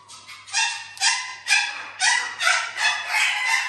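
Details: Harsh, raspy calls from a house parrot living alongside exotic animals, repeated roughly every half second in a steady, loud series of grating bursts with no other clear sounds.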